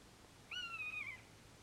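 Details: Common buzzard calling once: a loud, sustained mewing note that holds nearly level and dips slightly at the end. It lasts just over half a second against a quiet background.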